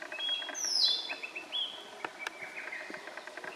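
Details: Song of a male blue-and-white flycatcher at the Morito River in Kanagawa, Japan, June 18, 2021: a very high thin note dropping steeply into brief falling whistles, with scattered clicks and soft chirping behind.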